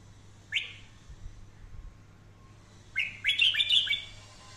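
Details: Red-whiskered bulbul in daily voice-training song, 'căng lửa' style: one short rising note early, quiet gap, then a rapid cluster of bright warbling notes and sliding whistles, with a steady low hum throughout.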